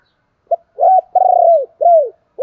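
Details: Decoy spotted dove calling: a quick short note, an arched coo, a long level coo falling at its end, then a final arched coo, all mellow and low.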